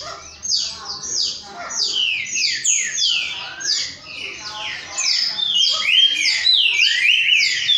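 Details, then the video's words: Green-winged saltators singing the boiadeiro style in a group, many bright whistled notes sliding down and up and crowding over one another, growing louder toward the end. "Trincas boiadeiros cantando juntos"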